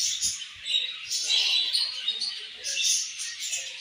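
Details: Continuous budgie chatter: high, squeaky chirps and warbled phrases blend into an unbroken, busy chorus, with soft clicks at the start.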